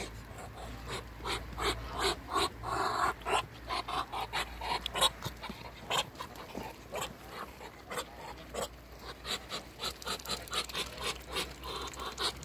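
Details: Three Muscovy ducks making a steady run of rapid, panting hisses and huffs, dozens of short breathy bursts packed closely together across the whole recording with faint low hum underneath.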